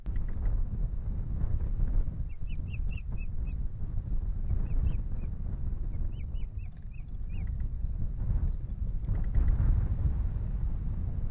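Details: Osprey at its nest in Estonia on a morning of April 11, 2020: short bursts of thin, high, repeated chirping notes in quick series, heard under strong, steady wind rumble.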